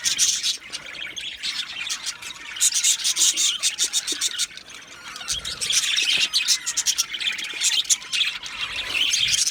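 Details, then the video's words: Budgerigars, a colony of Australian parrots in an aviary, keep up a dense, continuous chorus of high chirps, squeaks and warbling chatter that swells in bursts of rapid, overlapping notes. "Budgies singing and Chirping Sounds"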